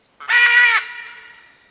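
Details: Red-and-green macaw, a large parrot; one loud harsh rasping squawk of about half a second, rich and buzzy, ending abruptly with a faint echo afterward.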